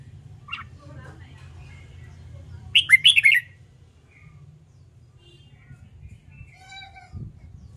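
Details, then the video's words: Red-whiskered bulbul in training for competitive singing, aimed at newly caught birds, gives a single bright warbled phrase of quick up-and-down whistles midway, with a soft distant bird call and low background rumble. "LUYỆN CHÀO MÀO HÓT ĐẤU/ BỔI NHANH MỞ MỎ SỔ GIỌNG/ CHÀO MÀO HÓT VUI MỖI NGÀY"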